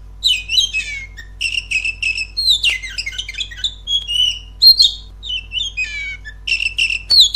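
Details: Oriental magpie-robin song used as a lure to make a kept bird sing more loudly and boldly: rich, varied phrases of whistles, rapid trills and harsh chattering notes, delivered in quick bursts with short pauses.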